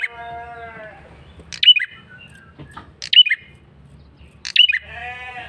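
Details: Persistent lure call from a male prinia: three bright, descending high chips about one and a half seconds apart, framed by harmonic nasal bleating notes and low hum.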